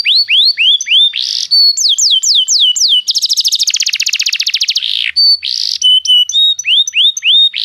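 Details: Canary singing, used to stimulate another canary: varied phrases of falling whistled notes, a very fast buzzy rattle trill in the middle, then steady whistles and more descending notes.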